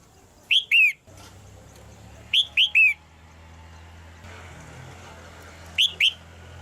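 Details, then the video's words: A caged female red-whiskered bulbul calls to make the male sing louder. Loud liquid whistles come in groups of two, then three, then two, each note rising then falling. A steady low hum runs underneath. "นกหัวจุก birds - เสียงนกตัวเมียในกรง กระตุ้นให้นกตัวผู้ร้องหนักขึ้น"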